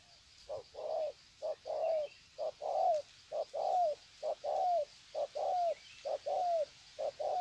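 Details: Greeting coos from wild-caught spotted doves, Sê San, 21 February 2020: rhythmic pairs of a clipped note and a longer coo that slides downward at its end, about once a second, evenly spaced.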